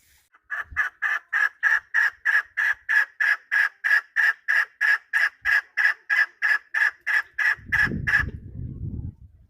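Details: Long, regular series of rasping chuk notes from a chukar partridge, roughly three each second for about eight seconds, followed by a short burst of low rumbling noise.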